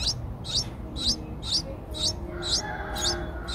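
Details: Streak-eared Bulbul nestlings, 8 days old, eyes opened at 7 days, Ubon Ratchathani, Thailand, 10 April 2023: seven short, high, rising chirps, about two per second, over a faint low hum.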